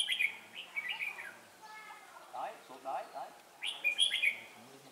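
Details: Red-whiskered bulbul decoy during a trapping session, wild birds chasing each other nearby: quick bright warbling phrases at the start and end, softer chirps between, with a man's voice speaking.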